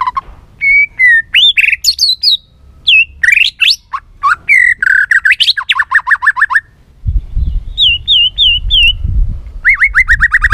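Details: White-rumped shama pushed to sing its many-voiced, tail-flicking song: dense rushes of whistles and fast repeated notes, a run of short upswept phrases, with a low rumbling noise underneath in the second half.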